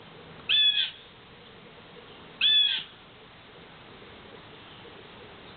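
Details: Blue Jay, one of two harassing a neighbour's cat hiding under a lilac bush with a mockingbird nearby, giving two loud, harsh, nasal jeers about two seconds apart, each under half a second long, over a quiet background hiss.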